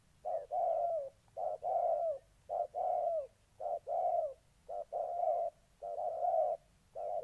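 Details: Decoy spotted dove, molting, challenged by an eager-to-fight wild-caught bird, Gia Lai, Vietnam, 14/8/2020: loud resonant coos, short note then longer slurred note, repeated rhythmically about once per second, close and clear.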